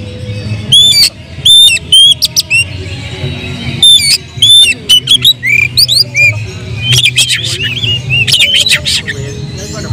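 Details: Worked-up oriental magpie-robin song serving as a lure for other birds: spaced loud whistles and grating bursts, then a denser run of twisting whistled phrases, over a faint low hum.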